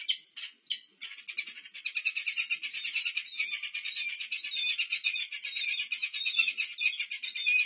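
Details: Peregrine falcon pair Annie and Lou courting at the UC Berkeley nest, 1 March 2023, give a few short harsh notes, then a fast, continuous run of grating, high-pitched chattering calls.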